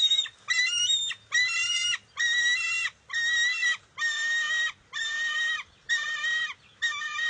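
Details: Bald eagle eaglet at its nest on June 23, 2021, contesting a fish its mother grabbed: a run of loud, harsh, harmonic screeching calls, each near a second long, repeated about once per second with short gaps.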